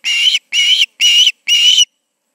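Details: Two ospreys at the Charlo nest on an August 2019 evening around 7pm: four even, whistled calls, each about a third of a second long, spaced roughly half a second apart, with clear silence between them.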